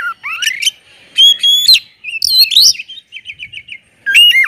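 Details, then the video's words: Oriental magpie-robin singing loudly to prompt other magpie-robins: rising whistled phrases, clear sweeping notes and a quick trill of short repeated chirps, separated by brief pauses. "kacer gacor ngeplong SUARA KERAS BIKIN KACER Lain NAIK EMOSI,, PANCINGAN KACER AGAR RAJIN BUNYI"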